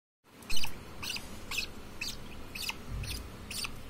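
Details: Newborn baby budgerigar chicks being hand-fed give raspy, hissing calls repeated about every two-thirds of a second.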